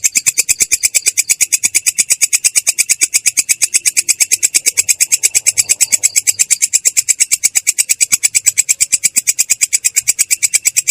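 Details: Continuous "ngerol" rolling song from a long-tailed shrike, clear and coarse in tone: a long, regular rattle of buzzy, grating notes with no pause from start to finish.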